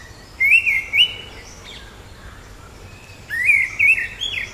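Orange-headed thrush giving two bursts of sweet, wavering, warbled whistles around two to three kilohertz range, each about a second long, with faint background hiss.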